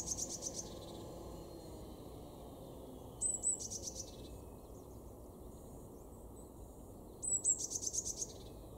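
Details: Garden Eurasian blue tit in Weener, East Frisia, northwestern Germany, February 2023: three high-pitched phrases roughly four seconds apart, each a sharp thin note and a rapid trill of even pulses, with soft background rumble.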